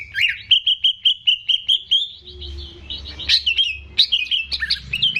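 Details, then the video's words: Greater green leafbird, an owner's own competition bird, singing continuously to stimulate untrained young birds: a run of bright, high chirped notes evenly spaced about every quarter second, then a looser jumble of sharp whistles and twittering phrases. "CUCAK IJO GACOR || PAS BUAT PANCINGAN BURUNG BAHAN"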